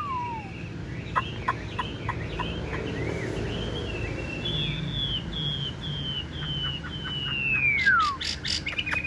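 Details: Tame caged Chinese hwamei, yellow-legged and yellow-billed, sings softer drawn-out whistles that slide and fall, mixed with short sharp notes and a long descending slur, against a steady low hum.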